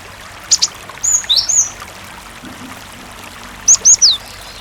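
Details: Cinereous tit in full song, recorded with water sound as a lure for other tits; sharp high slurred whistles, short doublets and downward-sweeping notes in two clusters, with flowing water faintly behind.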